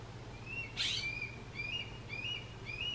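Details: Juvenile Red-tailed Hawk crying for its parents: thin, high whistled notes, each slurred and briefly rising, repeated about every half second, with a short noisy burst near the start and a steady low hum underneath.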